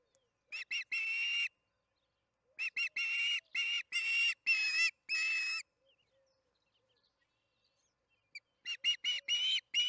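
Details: Osprey on the Charlo nest at evening feeding, June 21, 2019, 8:15 pm MDT: groups of piercing whistled chirps, with a soft low hum between the bursts.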